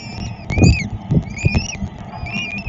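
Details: Peregrine falcon feeding in Szczecin, Poland, 22 April 2021: a few drawn-out, rising squeals about half a second long, punctuated by dull low thuds.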